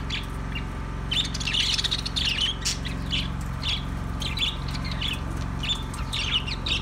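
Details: Budgerigar chattering continuously, a busy mix of high twittering, clicks and scratchy warbles, with a low hum constant in the background.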